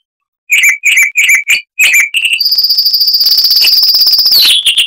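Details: Chestnut-vented warbler, loud for its size, singing five spaced bright chirps, then a long, high, even trill that drops at the end into a few quick notes.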